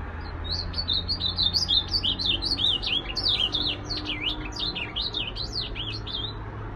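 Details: Azulão, the ultramarine grosbeak, delivering an unbroken string of quick slurred whistles that rise and fall in pitch, growing louder mid-way then easing, with a constant low background hum.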